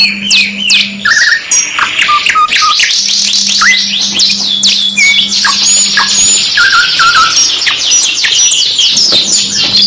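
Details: Canary song mixed as a two-in-one tutor track: rapid buzzy trills and whistled phrases stacked from several singers, repeated downward-sweeping notes, with a low steady hum coming and going.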